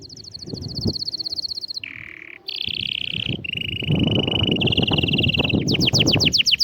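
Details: Canary song used to stimulate a silent canary to sing: a rapid train of high repeated notes, then low and mid trilled rolls, a long steady tour and a fast high chopped phrase at the end, with low rumble beneath.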